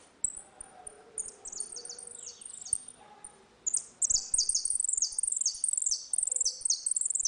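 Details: Saffron finch singing the ringing 'retinido' song style in a dispute, used to teach young birds; rapid series of bright, high downslurred notes repeated about twice a second, growing denser and louder in the second half, with faint lower chirps behind.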